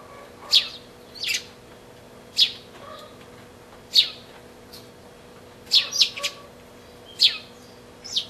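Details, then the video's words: A pair of sparrows together, recorded 20 March 2012: sharp, high chirps given singly or in quick clusters of two or three, spaced irregularly about a second apart, over a quiet background with faint hum. "A pair of sparrows"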